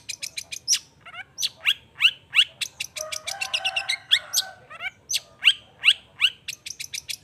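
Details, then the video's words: Long-tailed shrike pouring out a fast sequence of sharp chips and rising chirps, about three a second, broken midway by a buzzy, grating passage, with a faint hum beneath. "Cendet Gacor Efektif Pagi Siang Sore Rajanya Bikin Cendet Lainya Spontan Nyaut Bunyi Penuh Emosi"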